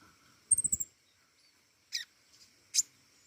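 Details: Pentis raja flowerpecker singing actively: a burst of short, very high thin chips, then two sharp single ticks about a second apart, with a low rumble under the first burst and a faint steady hum.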